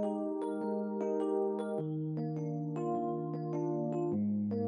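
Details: Bright electric piano or keyboard tune with plucked chords and high twinkling notes, no animal sound present.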